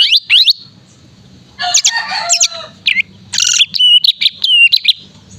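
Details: Lively greater green leafbird song for training contest birds: a few sharp sweeping notes, a scratchy harsh burst, then bright whistled chips and slurred phrases over a faint low hum.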